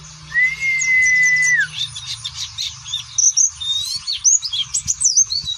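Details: A long level whistled note opens, followed by scattered high twittering and sharp upslurred chirps from an Oriental white-eye in its fine ngeriwik style.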